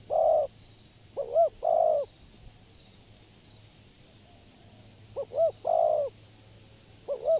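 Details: Trapping decoy spotted dove. A long coo opens, then short looping notes and another held coo follow. After a pause the pattern repeats, over a steady low hum.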